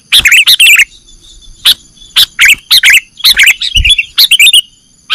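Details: Sooty-headed bulbul (kutilang), played as a lure for trapping birds in Indonesia: loud bursts of bubbly chirped notes in quick clusters, separated by short gaps, over a steady high electronic hum.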